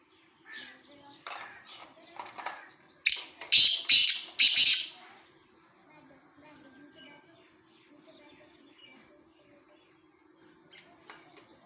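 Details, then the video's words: Black francolin uttering four loud, harsh, grating notes in a rapid run, with faint chirps and thin high trills from other birds before and after. "kala teeter ki awaz"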